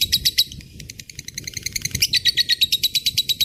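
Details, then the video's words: Long 'ngekek' chatter of a lovebird, meant for training other songbirds: quick high chips, uneven at first, then settling into a steady rapid series of sharp buzzy notes, with low background murmur throughout. "SUARA BURUNG LOVEBRID GACOR NGEKEK PANJANG"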